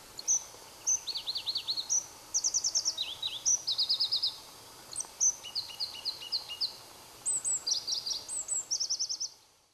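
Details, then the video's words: Two Pallas's leaf warblers singing near Erdenebulgan, Khovsgol Aimag, Mongolia, in July 2009: very high, rapid trilled and rattling phrases alternating with short whistled notes, bursts repeating across the clip over faint background hiss. "Pallas's Leaf Warbler"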